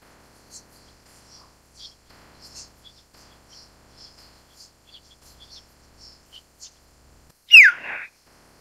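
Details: Common hill myna (Gracula religiosa): soft, high chirps scattered over several seconds, then one loud, harsh whistle that drops sharply in pitch at the end.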